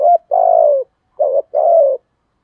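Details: Spotted dove cooing in the 'giọng thổ' style, a lure-bird voice that suits wild doves: a short note, then a long drawn coo falling slightly, and two more coos after a pause. Low, mellow tones in a quiet setting.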